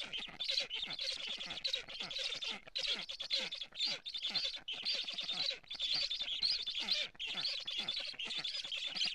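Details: Estonian black stork nestlings on a live nest camera, 15 July 2017, 11:15, begging and then guarding the nest against a strange stork; continuous wheezing, hissing rasps repeat roughly twice a second for over nine seconds.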